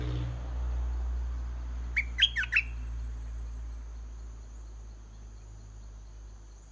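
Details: Caged decoy red-whiskered bulbul singing repeatedly to lure a wild bird down to fight: a brief burst of four quick, loud whistled notes near the two-second mark, then quiet over a low background rumble.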